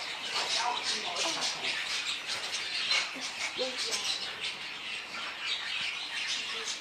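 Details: Blue-winged kookaburra gives harsh, raucous squawking and cackling that runs on without a break, rough and scratchy in tone.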